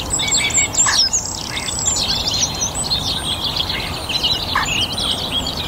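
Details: Warm spring evening, North Antrim garden full of birdsong with a song thrush singing: dense bursts of bright chirps and whistles, high and busy, layered over the wider chorus.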